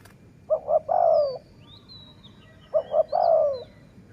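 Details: Two dove phrases recorded while luring doves with a decoy, each a pair of short low notes leading into a longer falling coo. Faint high thin whistles from other birds are heard alongside.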